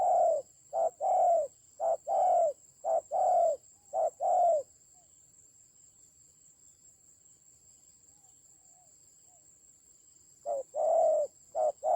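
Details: Fighting decoy spotted dove, Central Highlands mountain forest, Vietnam, 19 October 2020: a run of quick short-long coo pairs for four seconds, a long pause, then the coos resume; a steady high whine runs throughout.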